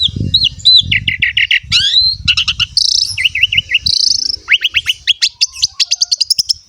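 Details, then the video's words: Varied song of an Asian pied starling singing constantly, used to coax young or lazy birds into singing: looping whistles, rapid trilled notes, a harsh buzzy phrase, a fast staccato series of chips and bright upswept whistles. "PANCINGAN BURUNG JALAK SUREN SUPER GACOR FULL ISIAN MEWAH"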